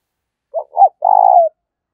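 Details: Single fighting-call phrase from a decoy spotted dove: two brief rising notes, then a half-second steady coo that trails slightly downward. No other sound is heard.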